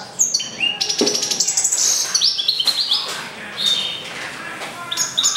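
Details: Goldfinch × canary mule, hatched April 2011, in lively song: high sweet whistled notes, quick stuttering trills and buzzy twitters in rapid succession, with faint room sounds.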